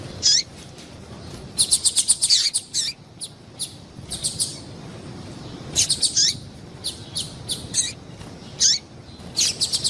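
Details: Calls of a female double-collared seedeater, used to make caged males eager: bursts of rapid high ticking chirps alternate with single thin notes that sweep downward, in irregular clusters over a quiet hissy background.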